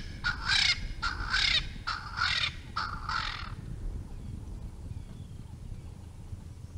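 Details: Male Swainson's spurfowl showing off his call at Naledi Cat-EYE on 10 November 2020. Four harsh, raspy crowing bursts come in quick succession over about three seconds, then only a low rumbling background.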